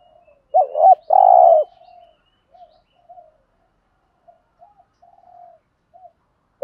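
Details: Spotted dove used as a decoy, cooing in the 'thúc gù' style with a 'giọng thổ' voice. A single wavering double note runs into a sustained buzzy coo, then soft scattered murmurs and a quiet close.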